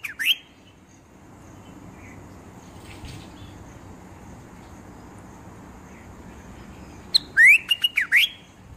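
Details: Bulbul giving a short burst of clear, rising whistled notes mixed with sharp clicks, first briefly at the start and then in a quick phrase near the end, with quiet background between.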